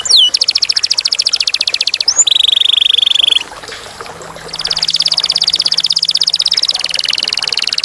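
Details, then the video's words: Canary in clear voice, delivering high rapid trills broken by a steady piercing whistled note, a brief lull with faint background noise, then a long fast buzzy roll. "Kenari / Canary / Canarium ovatum (suara jernih)"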